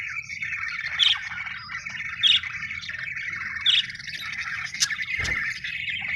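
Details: Happy budgies chirping in a steady warbling chatter, with brighter, louder chirps standing out about every one to one and a half seconds over a low constant hum.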